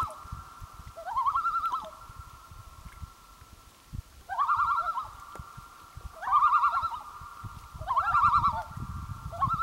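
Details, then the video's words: Common loon on Gavia Lake in 2011 giving a wavering tremolo call, a quavering laugh-like phrase repeated four times about every two seconds over a steady hum, with faint low rumbling in the background. "Loon on Gavia Lake"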